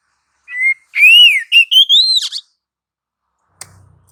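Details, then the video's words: Oriental magpie-robin in full, continuous rolling song, used as a lure to make other magpie-robins sing: loud clear whistled phrases that rise and fall and slur upward, ending abruptly, followed by a faint click and a low rustle. "PANCINGAN suara kacer GACOR NGEROL"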